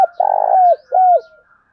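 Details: Close spotted dove of the thổ đồng voice style, kept to provoke wild rival males, giving a long rough buzzing coo that falls away at the end, followed by a shorter arched, drooping coo.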